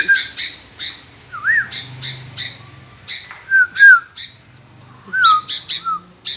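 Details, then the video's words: Kutilang, the sooty-headed bulbul, in lively song: scattered harsh high chips, short curling whistles rising then dropping, over a steady low background hum. "BURUNG KUTILANG GACOOR"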